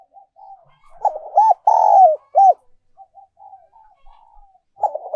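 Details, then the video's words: Spotted dove decoy song in the 'giọng còi' or 'giọng kim' style: a burst of coos including a long falling note and short arched ones, framed by soft faint murmuring coos. "cu gay moi chuan mp3/ Giọng còi chuẩn nhất 2022"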